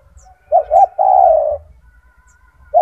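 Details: Turtle dove, a gacor bird kept for training other doves, with a big, loud, strong voice: a low hooting coo in two short notes, then a long, steady note, and one more short coo near the end.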